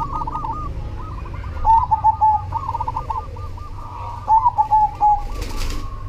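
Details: Zebra dove of the cemani variety singing actively: two bursts of rapid, stuttering coos around the middle register, each a quick run of short notes ending in a drawn-out coo, over a steady chorus of other cooing doves and low rumble.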